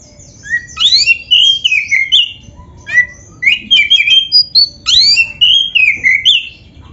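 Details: Song of a black-breasted oriental magpie-robin, a captive songbird recording played to make other magpie-robins sing: loud rich whistled phrases, slurred notes sweeping down and up, with sharp chips between bursts, clean background.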